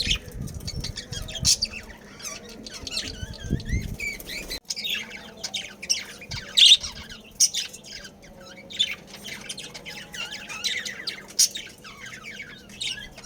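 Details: Captive budgerigar breeding colony: continuous warbling chatter of many high, wavering chirps and short squawks, with occasional louder sharp notes and a steady low hum underneath.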